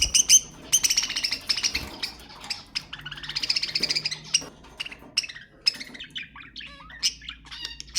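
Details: Budgerigars calling to stimulate mating, buzzy rattles and fast clicking chirps, then thinner whistled twitters and short rising notes toward the end.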